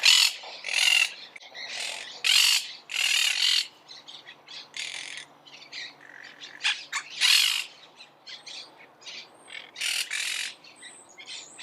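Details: Monk parakeets chattering noisily: loud grating screeches in irregular bursts mixed with quieter squeaks and chirps from several birds.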